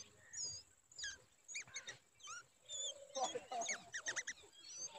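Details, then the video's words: Alarmed babbler mother guarding a chick in danger: harsh, bent, chattering notes in quick irregular bursts, several overlapping near the end, over a constant high-pitched whine. "Babbler baby is in danger and mother trying to protect him"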